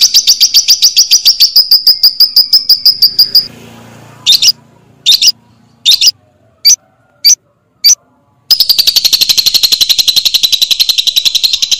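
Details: Lovebird sound used as a lure to get lovebirds singing and chattering at length: long fast runs of high, sharply repeated chirps forming a steady trill, broken midway by a pause with a few isolated loud clicks, then resuming.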